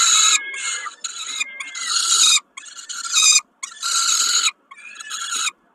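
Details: Peregrine falcon calling during a snack at Kawęczyn on 20 May 2022: broken series of grating, screechy calls of uneven length with short pauses between, some starting with a thin rising whistle-like note. Background otherwise quiet.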